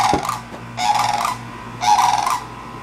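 Cranes give loud, rolling, trumpeting calls in three bursts about a second apart, over a steady low hum.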